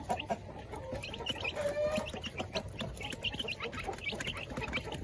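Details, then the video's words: Village chickens and laying hens in their coops at feeding time, a busy flock making overlapping short clucks and chatter, with one drawn-out mid-pitched call near the middle, over steady rustling and scratching. "Ayam kampung"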